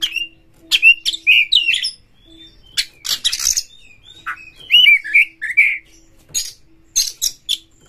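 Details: White-rumped shama in captivity, song meant to provoke other shamas into singing: short whistled slurs alternating with scratchy harsh bursts, phrases separated by brief gaps, a faint steady hum beneath.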